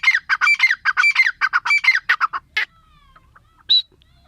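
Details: Grey francolin (teetar) calling: harsh, loud phrases of three or four ringing notes repeated rapidly for over two seconds, then quieter faint notes and one last sharp note.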